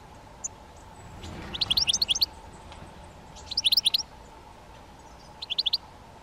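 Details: Great spotted woodpecker (Dendrocopos major): three rapid runs of sharp, high ticking notes, each run under a second long, separated by short pauses, against a faint background drone.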